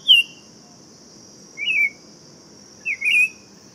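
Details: Tempera-viola, a buff-throated saltator, gives three clear slurred whistles, the first higher and brief, the next two falling at the end, against a constant high-pitched electric-like drone.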